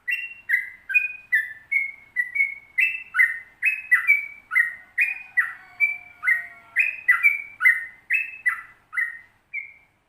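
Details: Long 'ropel panjang' song of a yellow-vented bulbul used to train kept birds: a rolling chain of short fluty, slurred notes alternating high and low, about two per second, with a faint low whistle midway.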